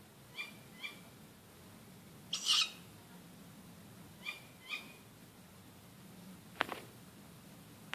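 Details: Probably a tawny owl (not certain) in an oak tree outside a house near midnight in the dark: short, sharp nasal calls in two quick pairs, with a harsh rasping burst between them and a couple of faint clicks later.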